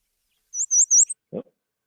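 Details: Yellow Warbler song in Central Oregon, where it is found along rivers, willow scrub and marshes in spring: a quick run of three or four very high, sweet slurred notes, followed by a single low dull thump.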